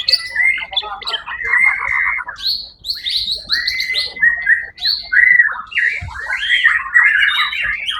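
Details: At the Suara Agung songbird contest of 1 October 2023, the first-place white-rumped shama sings long, clear whistled notes broken by bursts of buzzy chatter and fast, slurred descending phrases, with faint background noise.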